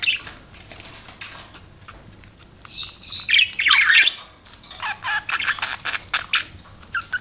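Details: Softer budgie chirping, scattered raspy notes, then a louder flurry of squawky chatter, followed by a run of short, evenly spaced chirps.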